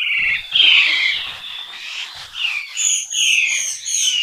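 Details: Red-billed blue magpie in Sattal, Uttarakhand, India: a loud, run-on series of harsh, slurred, falling notes, then higher ringing, buzzy notes repeated quickly in the last second and a half, with little background noise.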